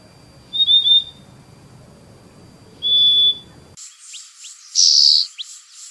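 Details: Purple-throated Euphonia, known in Brazil as fim-fim, giving two separate high, thin, level whistles about two seconds apart, followed by a louder, brighter, higher note from a different recording.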